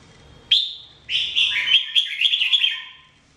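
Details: Red-whiskered bulbul (jambul) training song: one clear sweeping whistle, a short pause, then a sustained rippling warble of bright notes lasting about two seconds before fading out.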